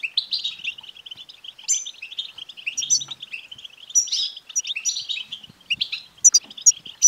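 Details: European goldfinch song intended to get a male goldfinch singing: dense, fast twittering with rolling trills and scattered high sparkling notes, continuous and lively, with a soft low rumble briefly heard.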